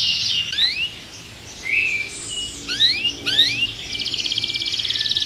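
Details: Caged canary in an agitated state gives scattered rising whistled slurs separated by short pauses, ending in a quick buzzy trill; softer and more broken than a full song.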